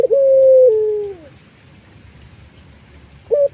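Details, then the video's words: A collared dove of the Iraqi type, used as a lure for other doves, gives a long, drawn-out nasal note that slowly falls in pitch, followed after a pause by the start of another, in a quiet background. "BURUNG PUTER IRAK GACOR MERDU"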